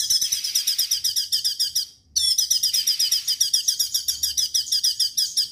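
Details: Fast, evenly pulsing high trills from a vigorously singing straw-headed bulbul, 'tembakan' style, in two runs split by a short break.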